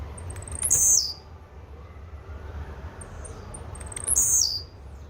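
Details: Blue-black grassquit song: two identical short phrases about three seconds apart, each a few thin high ticking notes rising into a sharp, buzzy burst that drops at the end, over a quiet background.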